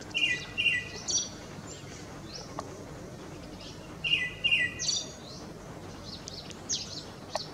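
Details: Male Tickell's thrush in Ladakh singing to a female in display; soft, distant whistled phrases of two or three clear notes with trailing twitters, repeated twice with a long gap, over steady background hiss.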